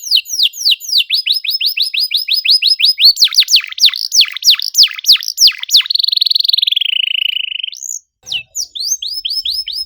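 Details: Canary song used as a training lure for silent birds, a dense cuit cuit style: rapid downslurred high notes repeated in series, a steady buzzy trill, then a brief gap and more quick notes.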